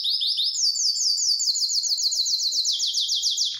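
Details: Canary in an excited state, ready to mate, pours out an unbroken high trill. Rapid downslurred notes repeat several times a second, with the pitch dropping slightly toward the end.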